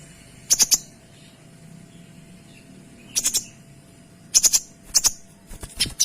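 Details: Kinoy singing rapid, clean 'tembakan' phrases for tutoring other songbirds: short, very high, sharp chirp bursts in groups of three or four, separated by pauses of one to three seconds, against a faint low hum.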